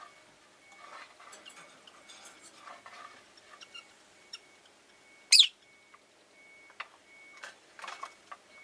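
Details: Caged pet rosy-faced lovebirds, five kept together in a cage by a window: a single loud, harsh chirp stands out midway over faint, scattered softer twitters and low street background noise.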